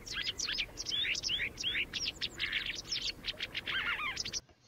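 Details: Pied wagtails in the UK give a rapid stream of sharp, high chirps and slurred twittering notes, overlapping almost continuously, over faint background noise.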